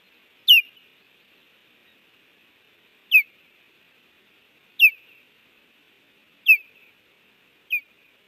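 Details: Osprey at its nest at Hellgate, Montana, 30 June 2019 around 10:55, with one stranger landing and another passing by. Five shrill, downslurred chirps, roughly every one to two seconds, over faint hum.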